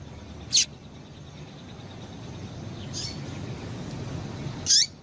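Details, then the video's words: Female double-collared seedeater calling to excite males: two high, sharp chips at either end with a faint softer note between, over low steady noise. "Piado de Fêmea de Coleiro"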